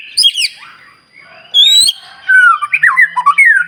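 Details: Loud White-rumped shama song, played to rouse other shamas and make quiet birds sing again: varied whistled and harsh squawking notes, swooping and falling phrases, then a run of rapid descending whistles.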